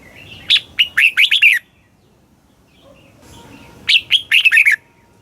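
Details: Red-whiskered bulbul kept in a cage in Thailand, singing a southern master-style phrase to spur other birds: two bursts of fast, slurred whistles with sharp note onsets, a brief soft chirp in the pause.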